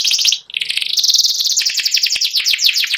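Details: White panda canary, noted for its symmetrical pattern and distinctive single-line voice, produces a dense rapid trill that dips briefly then runs on as a continuous high chattering roll.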